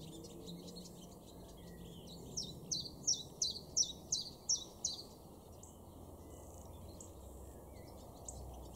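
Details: Common Chiffchaff singing in a garden in Weener, East Frisia, far northwest Germany, in May 2022: a run of about eight sharp, high chirping notes at an even pace, over steady low background rumble.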